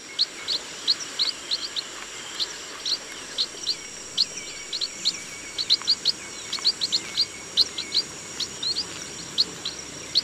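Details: Chestnut munia in a rice field calling almost continuously: many short, high, piping chirps in uneven clusters over ten seconds, with a constant high drone underneath.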